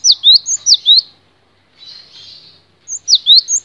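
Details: Cinereous tit song for songbird tutoring: bright whistled two-note phrases, each a sharp downslur followed by an upslur, repeated four times, a soft hiss, then another burst of phrases.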